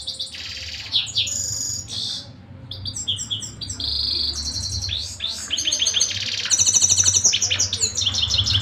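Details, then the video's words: Canary in nonstop song, shifting between sharp high notes, rapid pulsed rolls and bright repeated trills, with a short lull before a louder, faster rattling trill toward the end; a faint low hum sits beneath. "mast saira singing continuesly"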